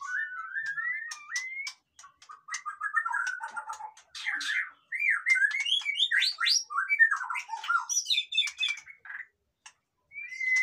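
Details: Captive white-rumped shama song meant to lift the mood of lazy birds: rambling varied warble of fluted whistles, quick rising and falling notes and dry clicks, in bursts with short gaps.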